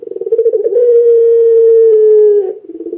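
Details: Lively puter pelung dove song used to coax other doves into singing: a long, steady, mellow coo framed by fast throbbing rolls before and after.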